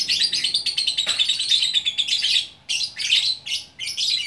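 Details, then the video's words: An unpaired lovebird from Bukittinggi, West Sumatra, delivers gacor orkestra song. A long, continuous stream of shrill, buzzing chatter gives way to shorter choppy bursts of squeaky twitter. "Burung Lovebird Gacor Orkestra"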